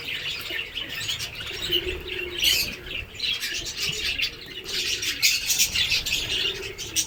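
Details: Budgerigars in a breeding colony on a bird farm in Kamrup, Assam chatter together in a dense, continuous mix of high chirps, squeaks and warbles.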